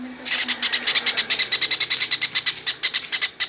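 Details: Kingfisher in a recording made to train cage birds: a fast, steady series of harsh, buzzy notes, roughly eight per second, running without a break over a faint low hum.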